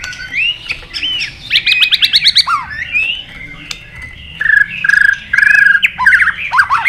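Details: White-rumped shama, a tail-flicking bird in competition singing with long forest-style phrases: loud varied whistles, rapid clicking trills and harsh chattered notes in quick succession.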